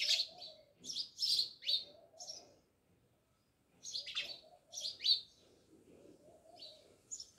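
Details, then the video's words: House sparrows living by a village house in Jamnagar utter lively strings of shrill, buzzy chirps in two bouts separated by a short silence, with a faint lower tonal murmur underneath. "Natural Sound Of Sparrows | House sparrows Chirping"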